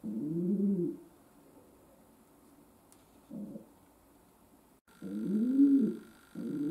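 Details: Pet domestic pigeon cooing indoors: low, rolling coos with a long quiet gap between them, a faint soft call in the middle, and an electrical hum joining partway through.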